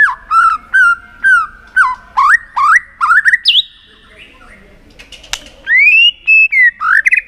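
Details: Tail-flicking White-rumped shama with 'tạch' calls meant to excite a shama for singing contests; repeated looping whistled notes, a pause with a sharp click, then long clear rising and falling whistles.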